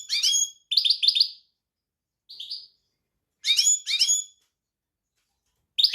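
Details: European goldfinch delivering bright, chattering notes in pairs and triplets, including a buzzy mid-pitched note, separated by short silences.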